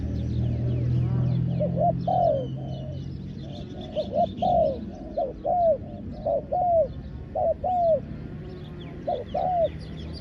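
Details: Ground-trapping decoy spotted dove calling to attract wild doves, giving a run of mellow coo phrases. Each phrase is a brief double note and then a longer descending coo, repeated roughly every second or two. A low rumble at first, and scattered faint chirps.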